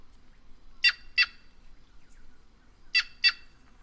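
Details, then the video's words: White-naped jay, known as the voice of the Brazilian caatinga, giving two quick pairs of loud, harsh, raspy notes about two seconds apart, with faint quieter bird sounds in the background. "Canto da Gralha Cancã Cyanocorax Cyanopogon"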